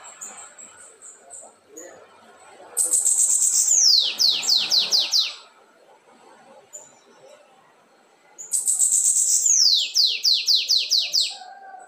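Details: Red-ringed caged lined seedeater in 'assobio com belga' song: two bursts, each a bright high whistle sweeping down into a rapid series of falling, evenly spaced notes, with a quiet pause between.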